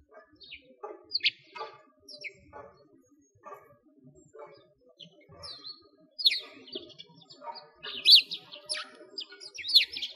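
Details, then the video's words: Winter sparrows at a frozen lake in Bratislavsky Park, Moscow, Russia: thin, spaced chirps at first, then a livelier run of louder, overlapping tweets toward the end over a quiet background. "Sparrows singing"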